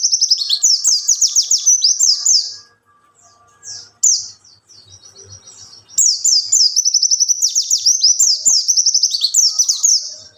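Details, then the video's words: Wild white-eye song, used as a lure to train young white-eyes: rapid, high, chattering runs of sweet twittering notes, a pause of scattered chips near the middle, then the busy twittering resumes. "suara burung pleci ngalas untuk pancingan pleci bahan"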